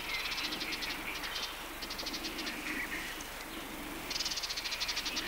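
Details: Western Orphean Warbler in a riverside grove on the Matarraña, June 2011, gives dry, rattling bursts of rapid high ticks about every second over a steady insect hum.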